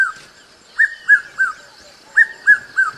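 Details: Piet-my-vrou, the red-chested cuckoo, giving loud whistled three-note phrases with each note lower than the last, two full phrases a second and a half apart, over a faint constant high background hiss.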